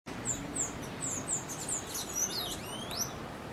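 Burnished-buff Tanager song: a quick series of thin, very high sibilant notes, about four per second, ending in short rising slurs over faint background hiss.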